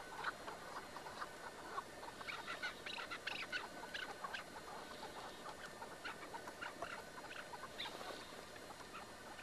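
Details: Caged partridge (keklik) during a traditional çatı partridge hunt, filmed eight years earlier. Busy bursts of short, sharp chattering notes cluster mid-clip over a steady background hiss, with scattered single chirps before and after.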